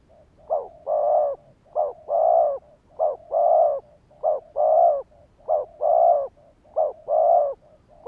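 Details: Spotted dove cooing as a lure to draw and trigger wild birds. Seven steady pairs, each a brief note followed by a fuller, sustained low coo, repeating regularly about every 1.2 seconds with no other sounds.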